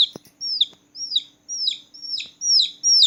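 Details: Small newborn chicks chirping at night: drawn-out shrill peeps that arch and then fall, spaced about half a second apart, with a short tap or knock at the start.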